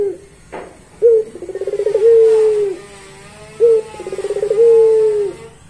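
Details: Barbary dove of the pelung type with a long song: a sharp opening note, a fast pulsed rolling trill, then a long steady low coo sliding down at the end, given twice about 2.5 seconds apart.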